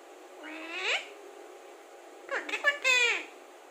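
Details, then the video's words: Alexandrine parakeet talking indoors: one rising, word-like harmonic sound, then a rapid string of clipped speech-like syllables ending in a longer tonal note, over a steady low hum. "Alexander talking parrot"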